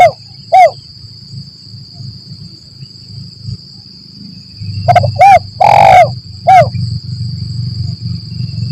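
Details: Spotted dove lure call in the lambung Kuk 1 Mersik style, played to draw doves when trapping in forest: a short arched coo, a pause, then a clipped run of short coos, a long rolling coo and a final short coo, over low hum.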